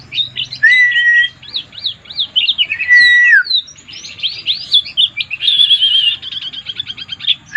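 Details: White-eye in 'mabuk' (drunk) song: two long, clear, level whistles start it off, then come dense runs of quick rising and falling chirps, and at the end a fast trilled warble that goes on and on.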